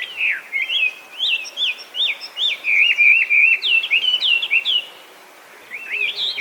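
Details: Invasive Chinese hwamei in Japan, known for copying other birds, delivers bright whistled phrases of sharp upward and downward slurs, with a short pause before the song resumes.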